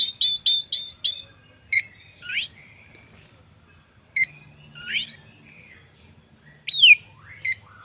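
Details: Orange-headed thrush song used as a lure for other birds: a run of five quick whistled notes, then sharp chips, fast rising sweeps and a high clear whistle, repeated with pauses.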